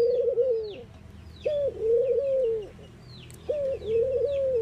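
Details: Mourning dove cooing in deep, even tones, three phrases about two seconds apart, each a rising opener then prolonged soft hoots, with thin chirps from other birds in the background.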